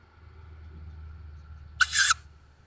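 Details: Young tawny owls just fledged from a woodland nest near Szokolya, Hungary, 7 May 2022, nest camera: a single rasping, hissy screech lasting about a third of a second over a low steady hum.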